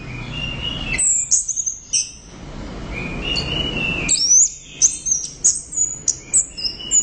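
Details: Loud, tirelessly singing orange-headed thrush in gacor teler form: thin whistles sliding from very high to mid pitch, bursts of fast chirps, a steady whistled tone, then a run of sharp repeated notes.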